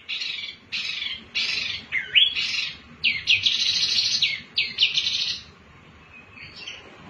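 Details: Lively Wambi mini song meant to draw other birds into singing: bursts of scratchy, buzzy chirps and twisting whistled notes in rapid succession for about five seconds, then a quiet pause with a faint soft note.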